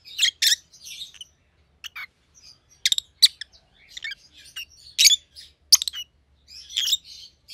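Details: Rosy-faced lovebirds, white-headed pallid and green opaline siblings kept as pets, chatter with sharp clicking chirps and brief buzzy twitters, irregularly spaced with short silences.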